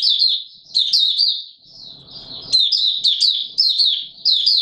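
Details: White-eye song in warm humid weather, a fast stream of high twittered notes in repeated bursts roughly every second, each starting with a sharp accent, with a short low rustle in the middle.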